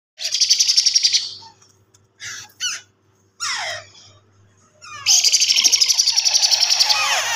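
A parrot chick gives harsh, rapid rasping begging calls in long pulsing bursts, with a few short squawks between and a faint low hum beneath.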